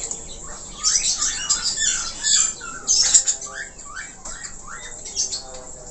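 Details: Australian parakeet (budgerigar) warbling softly, a run of short rising whistled notes and scratchy chatter in the middle, fading to quieter squeaks toward the end.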